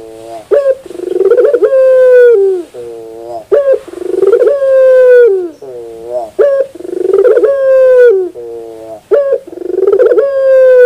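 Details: Repeated cooing song of a puter bird, or Barbary dove: rolling stuttered coos lead into a long level hum with a falling end. Phrases come about every three seconds, with low trailing coos between them.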